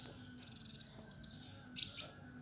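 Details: Kolibri wulung sunbird, an energetic male fighter type, singing a piercing high trill of rapid sliding whistles that fades out, followed after a pause by a brief scratchy chirp.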